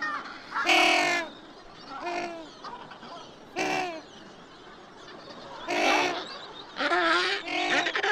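African penguin giving loud, harsh, donkey-like braying honks in short bursts.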